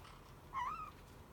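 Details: White-bellied caique (Pionites leucogaster), a timid pet bird, gives one short, clear whistled note that lifts sharply then holds level briefly, in a quiet room with faint hush.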